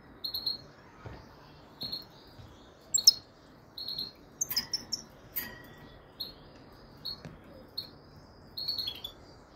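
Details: A frigoris goldfinch singing a string of high, clipped tweets and twitters, repeated roughly every second or so with a few buzzy, sharper bursts in the middle, against a quiet background.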